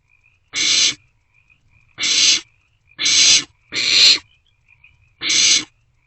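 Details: Young barn owls in an owl box around 2 am, 27 March 2024, passing food back and forth; five loud rasping hisses, each about half a second, irregularly spaced, soft twittering between them.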